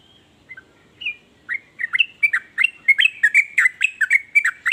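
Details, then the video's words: Sooty-headed bulbul singing in a style said to stir other bulbuls into singing too: a few faint opening notes, then a fast, bubbly run of bright slurred chirps that grows steadily louder and denser. "ber macam" suara trucukan ini bikin trucuk lain iri jadi langsung ikut bunyi"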